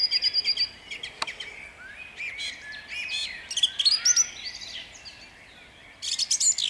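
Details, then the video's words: At dawn in Jabłonna, 29 April 2021, a song thrush sings: an opening run of repeated clipped notes, then a cluster of varied whistles and trills, a pause, and another burst. "Drozd śpiewak śpiewa o świcie w miejscowości Jabłonnej."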